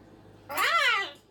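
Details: A pet cockatoo indoors at 5:15 in the early morning or early evening; one short loud call, about seven tenths of a second, rising then falling in pitch with rich harmonics, right after a person says hello.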